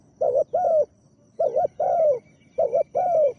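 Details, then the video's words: Three deep coo phrases from a spotted dove kept as a decoy for luring wild doves; each pairs a brief two-part hoot with a longer sliding, falling note, evenly spaced against near silence. "ต่อนกเขาใหญ่ เด็ดมากเชลยตัวนี้นึกว่าจะไม่ได้คูอ่างเสียงใหญ่"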